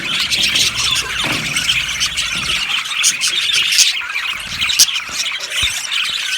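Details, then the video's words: Yellow budgerigars chirp as a colony in an aviary: many birds at once, with sharp squeaky notes and a few louder clicks and squawks standing out over the busy warbling. "Beautiful Budgies sounds | Budgies chirping sounds"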